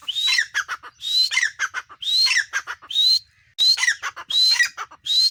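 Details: Female grey francolin (teetar) calling: loud rising whistled notes, each followed by a rapid run of harsh clipped notes, repeated about once a second with a brief pause near the middle.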